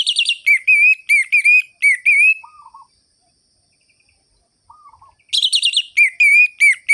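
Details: Sharp, rhythmic ngerol-ngeplong singing from an orange-headed thrush, used as a lure for sluggish birds: strings of loud ringing whistles, a gap holding two soft low rolling phrases, then a dense renewed burst of whistled notes.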